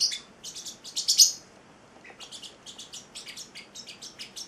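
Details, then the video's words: Pet male Celestial parrotlet, eight weeks old, singing a rapid chattering string of high chirps that swells to a loud peak near one second, pauses briefly, then resumes as a steady patter of lighter notes. "the Singing Parrotlet"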